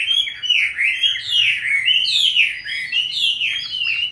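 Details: Chinese hwamei caught from the wild and kept caged for five years, giving a rich, flowing song of looping whistled notes that rise and fall in quick succession.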